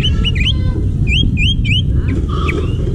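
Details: Wild forest greater green leafbird song of clear upslurred whistled notes, several in quick succession, followed by softer mixed chirps and a lower whistle, against constant low-pitched background rumble.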